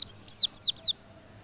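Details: White-eye song used to stir white-eyes into persistent singing: four loud, high, steeply falling slurred notes in rapid sequence, then fading faint notes.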